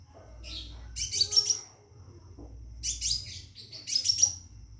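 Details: Scarlet minivet in a cage calling a female to mate gives three loud bursts of rapid, glittering high notes, each lasting under a second, with a low hum underneath.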